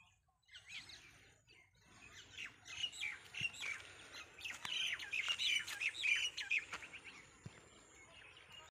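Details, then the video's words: Birds chirping at a college in the evening: a dense, overlapping chorus of quick high chirps and squeaky twitters that builds in the middle and thins toward the end, with a few sharp clicks. "birds chirping ❤️in our college in evening ❤️"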